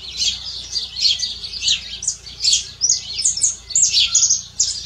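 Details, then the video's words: Canary singing in nature: a continuous run of high, bright chirps and trills, densely packed warbled phrases with little pause, over a faint low background hum. "CANÁRIO CANTADO. CANÁRIO CANTADO NA NATUREZA BIRD SININGING"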